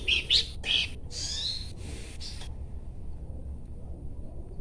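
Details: Horsfield's babbler singing: three short, bright chirped notes in under a second, then rushing broadband bursts and a long quiet stretch of low hum.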